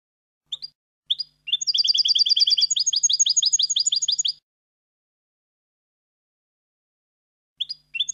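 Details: European goldfinch song recorded to teach young goldfinches: two short introductory chirps, then a dense, fast trill of high twittering notes for about three seconds, a long silence, and a few more chirps at the end.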